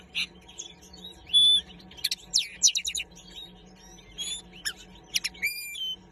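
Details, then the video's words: Common linnet singing: a lively, varied twitter of short chirps, quick buzzy trills and clear rising and falling whistled notes, delivered in bursts with brief pauses over about six seconds; faint steady low hum underneath. "Common linnet #3 - carduelis cannabina - linnet singing"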